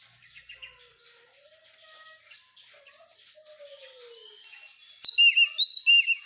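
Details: Tutor song (masteran) of an Oriental magpie-robin for caged birds: five seconds of faint background notes and soft low whistles, then a loud burst of repeated sharp, upswept chirping notes at the end.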